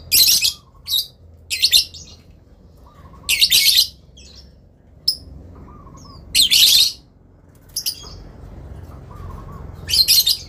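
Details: Adult lovebirds exchanging calls toward a rival: rasping shriek bursts in pairs and small groups, spaced roughly every two to three seconds, with soft short warbles in the pauses.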